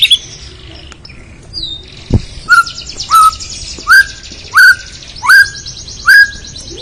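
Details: White-rumped shama singing a loud clear whistled note with a sharp upward flick, repeated about every three quarters of a second over a thin buzzy high rattle.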